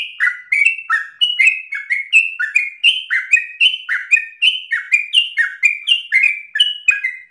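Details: Insistent rapid song of a sooty-headed bulbul: clear whistled phrases pairing a high slurred note with a lower dropping one, tumbling on continuously in the 'ropel' manner.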